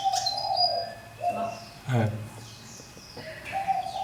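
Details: A fantail kept in a cage for a year sings thin, high whistled phrases, some sliding downward, over a steady mid-pitched hum, with a brief low thump near the middle.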